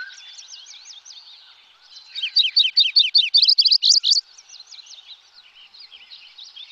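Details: Wilson's Warbler singing near Lake Tahoe: a quick run of about twelve dry, high chips lasting two seconds, preceded and followed by softer overlapping songs of other birds in the background.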